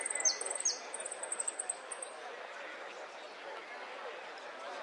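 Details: Saffron finch singing in a song style of golpes, pitadas and prio: a rapid string of very high, thin pulsed notes broken by two sharp descending slurs, fading after two seconds into steady background hiss.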